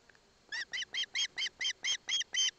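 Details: Loud run of nine evenly spaced, harmonic, squealing notes, about four per second, from an osprey chick in Barlinek Forest, Poland, as its father hands over a fish and its mother stays close.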